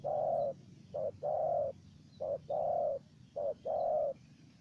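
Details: Wild spotted dove trading calls with a decoy dove: three paired phrases, each a clipped coo then a longer smooth coo, evenly spaced about every second and a half, with quiet background rumble.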